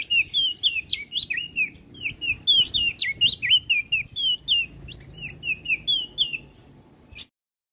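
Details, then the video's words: Olive-backed tailorbird in full voice, used to teach and prompt other songbirds: a fast run of bright, bouncing chirped notes, some hooked upward, for about seven seconds before stopping abruptly into silence. "Burung Prenjak Daun Gacor"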